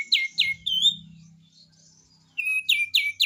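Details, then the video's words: Vigorous kapas tembak (cream-vented bulbul) song, besetan style: bright downslurred notes and a slurred whistle, a quiet gap with a low hum, then fresh rapid chirps starting again. "SUARA BESETAN KAPAS TEMBAK ‼️ GACOR ‼️"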